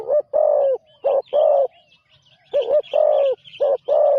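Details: Loud, low cooing from a spotted dove on its first training trip as a ground decoy, two groups of clipped and longer notes separated by a short gap, with light chirping from other birds behind.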